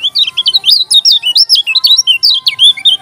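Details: Lombok yellow-crowned bulbul, likely caged, singing continuously in loud, high, swooping whistled notes, about five per second, with a steady faint tone running underneath.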